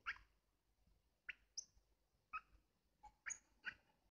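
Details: An adult male pet European goldfinch gives short, nasal squeaks in irregular bursts, begging for attention; this is fledgling behaviour he never unlearned because he was always rewarded with food.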